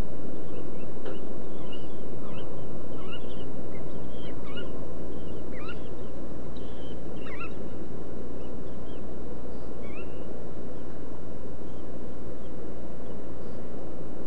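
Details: Red knot calls: many short, thin rising and falling notes overlap, several in quick succession around the first eight seconds, then fading, over a constant heavy low roar.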